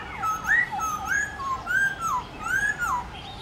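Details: Morning contest singing of a Black-throated laughingthrush, wild-style voice for training captive birds: a continuous run of fluting whistled notes, rising and falling in smooth swoops, with little pause between phrases.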